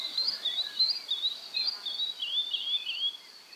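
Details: Male woodlark singing in the Czech Republic: high, fluted, warbling phrases that ripple up and down in quick succession, with a steady faint background hiss.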